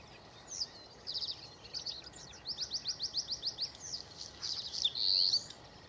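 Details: Bluethroat recorded on 7 May, singing a varied, loud high-pitched phrase: scattered chirps, then a rapid run of about ten evenly spaced clicking notes, followed by twittering and a final sustained bright whistled note.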